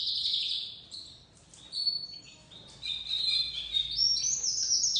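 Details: Crested white domestic canary fledgling starting to sing, giving bursts of high twittering warble separated by a quieter pause, then a long bright run of rapid trills and rising whistled notes.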